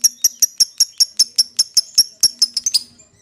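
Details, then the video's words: Lovebird calling its companion: a run of sharp high chirps repeated about every fifth of a second, steady for nearly three seconds and quickening at the end, each note clipped and bright. "suara lovebird memanggil temennya | pancingan lovebird memanggil lawan"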